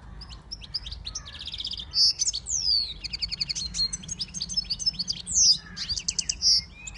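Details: Siskin x goldfinch hybrid in continuous song: rapid high twitters, rattling trills and loud piercing squeaky notes, with brief swooping descending whistles throughout.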